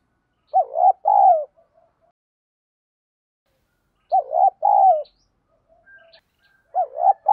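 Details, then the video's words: Spotted dove giving a 'giọng đồng' urging call, used as a lure to train decoy and newly caught birds: a phrase of stuttering short coos into a long falling coo, repeated twice about three and a half seconds apart, in silence. "cu gáy giọng đồng . thúc, tiếng gáy gọi"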